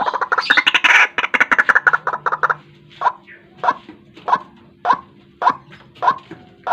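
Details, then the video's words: White-breasted waterhen lure used to trap birds in the morning. A dense burst of rapid chattering notes opens, then gives way to separate croaks spaced about two per second. "Suara pikat burung ruak ruak"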